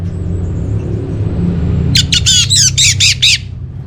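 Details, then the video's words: Lure and master recording of an Orange-headed thrush: after a quiet stretch with a faint thin whistle, a sudden burst of six or seven loud, rasping, downslurred notes in quick succession. "Bikin Geger ANIS MERAH Dirumah Pasti Gacor || Pancingan sekaligus Masteran Burung Punglor"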